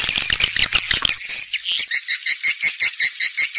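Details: Swiftlet lure sound recorded outdoors for attracting birds to nest in swiftlet houses: a dense, shrill twittering chorus that gives way to a fast, steady series of high ticking chirps.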